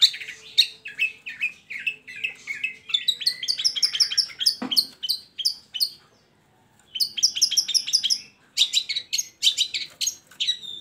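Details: Long-tailed shrike song serving as a lure for shrikes slow to sing: rapid, varied chattering and mimicking phrases, a short pause, then another fast burst of high scratchy notes.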